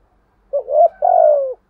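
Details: Spotted dove cooing in the 'thúc gù' style, said to provoke even shy doves into cooing back: one low phrase of a short rising note, then a longer, slightly hoarse coo sliding downward. Quiet background.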